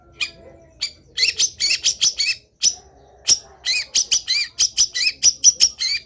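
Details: Long-tailed shrike in lively full song, used to prompt other shrikes to sing: scattered sharp chips, then rapid runs of buzzy, arched chattering notes.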